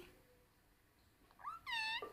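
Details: Talking parrot indoors producing a quick rising slur followed by a sustained, buzzy, strongly harmonic syllable and a short trailing sound at the end.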